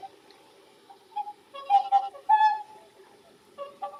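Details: Whooper swans at Lake Izunuma, where greater white-fronted geese also call, give loud, bugling, trumpet-like honks in irregular bursts over a soft murmur of many distant birds.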